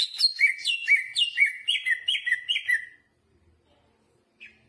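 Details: Greater green leafbird delivering a fast string of paired whistled notes with jamtrok phrasing, stepping down from high to lower pitch about twice a second, then falling silent.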